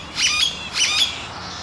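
Great-tailed Grackle giving two quick, harsh, high calls about half a second apart, each with thin metallic whistles running through the rasp. No other sounds are heard.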